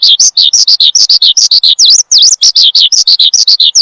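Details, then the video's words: Energetic Horsfield's bushlark song used to train and lure cage birds: quick repeated high chirps, roughly two or three per second, with a couple of swooping up-and-down whistled notes in the middle. "Kicau Burung BRANJANGAN Gacor, Untuk Pancingan Dan Masteran"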